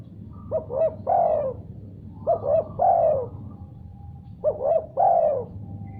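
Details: Spotted dove calling back after hearing another call: three evenly delivered phrases, each two short rising notes then a longer dipping coo, roughly every two seconds, over a faint steady tone and low hum.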